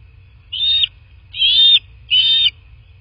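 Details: Nest-camera recording from a southwest Florida bald eagle nest, morning of 29 February 2024: three piercing, high squealing notes, each about a third of a second, spaced roughly 0.8 seconds apart over faint low background hum.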